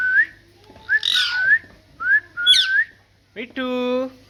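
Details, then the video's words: Talking pet parrot: short rising whistles alternate with two raspy squawks, ending in a sustained nasal, harmonic tone about a second long. "Parrot Talking"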